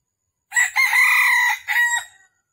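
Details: Red junglefowl in Vietnam during a morning trapping session on 13 December 2021: one loud crow, a short opening note, then a long held harsh note and a brief falling ending, with quiet surroundings.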